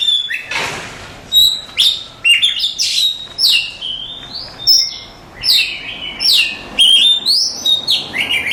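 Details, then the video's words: Contest-winning Oriental magpie-robin delivering a rich, fast song: bright high whistles, quick slurred down-sweeps and chattering notes strung together almost without pause over a quiet background. "Suara Kicauan Burung Kacer Juara Kontes"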